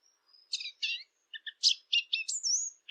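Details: Eurasian blackcap singing, made for use with hunting call devices: a thin high note, then separated chattering bursts and a clear falling whistle at the end, quiet overall with a silent background.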